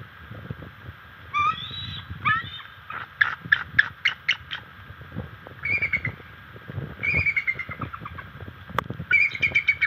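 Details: Adult female bald eagle at a nest chasing an intruding adult eagle away on September 24 in the morning; thin, high whistled chittering in quick runs of sharp notes, pausing and restarting several times, with branch creaks and rustling underneath.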